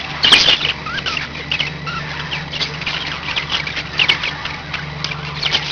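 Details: Budgerigars kept at home give a sharp loud squawk early on, then scattered chirps, short whistled slurs and scratchy chatter, over a steady low electrical hum.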